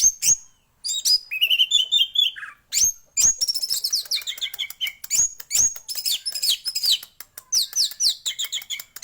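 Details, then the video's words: A male orange-headed thrush pours out a continuous, varied song of rapid chirps, descending whistled slurs and dense, scratchy trills, with hardly a break. "burung anis merah jantan gacor full sampai telerr"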